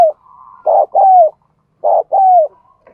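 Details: A decoy spotted dove's coo meant to provoke males: two loud phrases, each a clipped hoarse note then a longer descending coo, separated by about a second of quiet.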